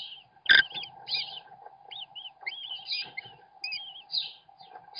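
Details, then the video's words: While the father American kestrel feeds the chicks, webcam audio carries a sharp thump followed by many short, wavy, high-pitched chittering notes and rasps in quick succession, with a faint hum beneath. "American Kestrel - Dad feeds his kids!"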